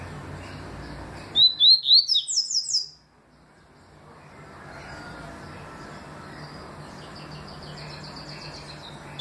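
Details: Yellow-bellied seedeater, called papa-capim, delivering the 'tui' song in 2020: a single rapid phrase of sharp upslurred whistles lasting about a second and a half, ending in higher buzzy notes, followed by steady faint background noise.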